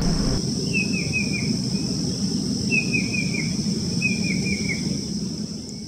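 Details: Square-tailed drongo-cuckoo (kedasih) in a bamboo clump in Java, Indonesia, where it associates with other parasitic cuckoos, gives three short runs of quick, thin whistled notes sliding downward, over a steady high insect drone and low rumbling.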